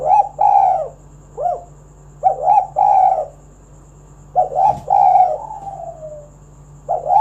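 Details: Spotted dove in vigorous song, played to lure other doves into singing: a run of low, burry coo phrases, short note then longer rolling note, repeated every one to two seconds, one ending in a long fading coo.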